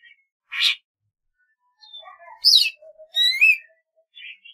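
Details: Golden-fronted leafbird song of varied notes: a loud buzzy burst, quiet warbling, a harsh falling note, then a rich harmonic rising whistle and a soft final chirp.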